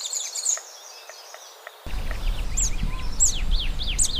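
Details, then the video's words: Scrub tanager (Stilpnia vitriolina) singing thin, high, downslurred notes, several in quick succession, over a steady low rumble of wind or distant traffic. "O canto da Saíra do matinho"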